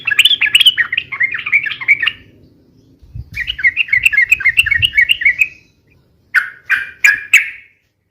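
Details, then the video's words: Yellow-vented bulbul in rapid, long, noisy song used for bird luring and tutoring: two lively runs of rolling, slurred notes, then four loud, separate, buzzy chirps, over faint low noise. "SUARA BURUNG TRUCUKAN RIBUT UNTUK PIKAT DAN MASTERAN ,SUARANYA ROPEL DAN PANJANG"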